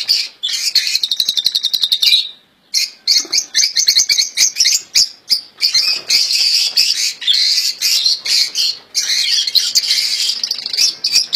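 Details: European goldfinch kept in a cage, its royal goldfinch song praised as flawless: a long, dense, continuous twittering with fast rattling trills and buzzy notes, one brief pause near the start, then almost unbroken singing.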